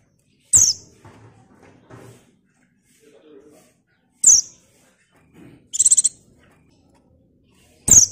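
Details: Lure recording of a female buxtoni white-eye meant to prompt raw or flock-caught males to sing as in the wild: piercing single high chirps at irregular intervals, plus one quick burst of rapid high notes and faint low murmurs.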